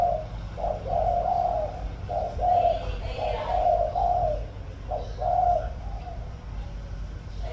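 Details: Cooing of a spotted dove used as a decoy, sung in the "thổ" voice style: mellow hollow hoots grouped in runs of two or three, with short gaps between phrases and a constant low background rumble.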